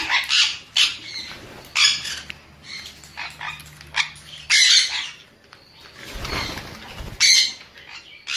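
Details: Sun conure giving scattered harsh squawks, broadband bursts in short irregular clusters with quiet gaps, faint low hum underneath.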